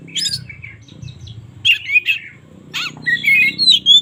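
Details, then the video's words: Oriental magpie-robin in the morning, giving short bursts of varied notes. Scratchy rasps are mixed with clear, rising and falling whistles, and pauses fall between the groups. Faint low hum lies behind. "suara burung kacer gak ada ahlak"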